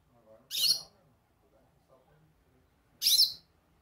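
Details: Goldfinch calling: two harsh, high, chattering chirps about two and a half seconds apart, with faint low sounds between them.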